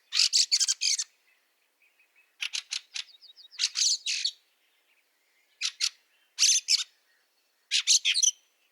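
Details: Fieldfare calling in snow, Liepāja, Latvia, March 2023. Dry rattling chack notes come in quick clusters of three to five, with a short run of faint buzzy notes in the middle and brief pauses between bursts.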